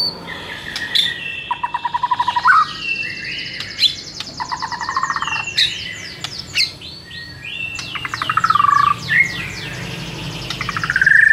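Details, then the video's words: ['Training song to make a white-rumped shama respond aggressively: dense overlapping trills, buzzy rattles and slurred whistles, varied and continuous throughout.'] "SEKALI DENGAR Murai LANGSUNG NARUNG dengan MASTERAN satu ini"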